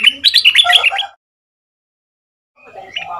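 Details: Southern Thai red-whiskered bulbul kept as a decoy, caged two months, singing a fierce 'sai boen' style for young birds to learn. A dense second-long burst of whistled notes, silence, then a fainter chattering phrase.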